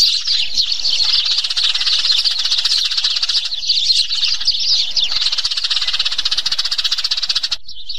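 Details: Eurasian tree sparrows fighting, a dense, continuous chatter of overlapping high chirps and twitters with no pause, stopping abruptly near the end.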